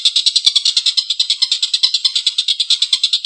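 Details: Collared kingfisher in good calling form, giving a long, rough laughing call. Harsh, rasping, buzzy notes run together in a fast, even chatter of about eight pulses a second throughout.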